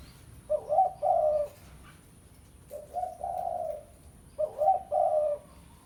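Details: Spotted dove (tekukur pesom) lure call to a rival: three clear cooing phrases about two seconds apart, each a quick broken lead note then a longer smooth husky coo, over a quiet background.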